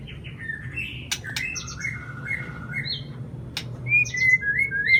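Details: White-rumped shama (murai batu) lure song meant to prompt a silent bird. Varied whistled phrases with held and gently falling notes give way to bright, ringing upslurs toward the end, with a few sharp clicks.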